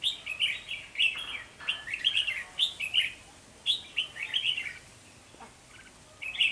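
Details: Red-whiskered bulbul decoy during trapping at the season's start, 3 November 2020: repeated lively warbled phrases about once a second, pausing briefly near the end before one final note.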